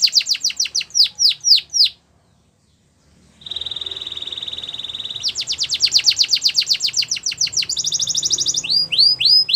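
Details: Russian canary training song: falling whistled notes, a pause, then a long steady high tone, a fast rolling trill and further sweeping whistles.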